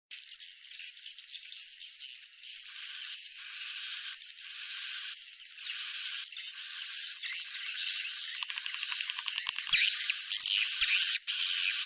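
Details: Swiftlet calls: dense, harsh, high-pitched chirping in a continuous stream, with thin whistled tones gliding above it in the first few seconds and sharper clicks toward the end.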